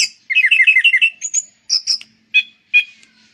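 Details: Anis cendana thrush singing a fast rolling burst of short warbled notes, followed by high thin whistles and a few separate sharp chirps with short gaps between them.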